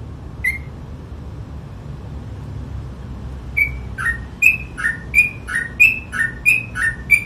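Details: Sooty-headed bulbul singing in the lively ropel style: after a quiet start, short whistled notes swing between a higher and a lower pitch, repeated roughly every half second in a quick, steady run.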